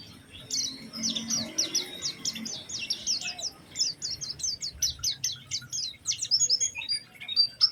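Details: Energetic Oriental white-eye song with special phrasing, played as a lure to prompt other white-eyes to sing: fast bursts of very high, thin chirps and downward-sweeping whistles in rapid, uneven runs, background quiet.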